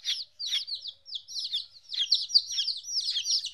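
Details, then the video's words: Several chicks 14 days old, away from their mother for the first time, peeping in bursts: loud, shrill, down-slurred cheeps with brief gaps, then a denser overlapping stretch. "Chicks Chirping Sounds - Baby Chicken Sounds"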